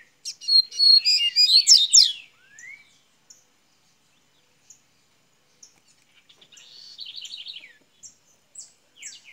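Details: Song of a Double-collared seedeater from Minas Gerais, Brazil, starting up: a dense phrase of sharp high twitters and downslurs, a quiet pause with scattered chips, then another rapid trilled phrase.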